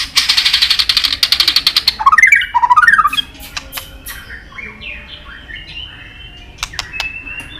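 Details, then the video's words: Shama training song with forest voices: a fast buzzy series of repeated notes followed by looping whistles, then softer distant notes and clicks. "Luyện Nhiều giọng dài cho chòe lửa cực chất. chòe lửa kéo dây đảo nhiều giọng rừng. tạch đập đuôi"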